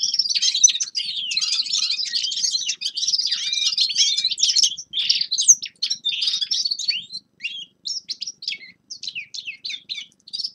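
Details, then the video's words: Dense, rapid, high twittering of forest birds in winter for about five seconds, breaking into separate short chirps and tweets spaced roughly half a second apart. "Зимнее пение лесных птиц Winter singing of forest birds شتاء غناء طيور الغابة"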